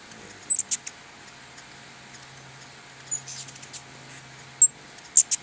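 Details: Hummingbirds crowding two feeders in front of a house give sparse, very high, thin squeaky chips in short clusters, with quiet gaps between bursts.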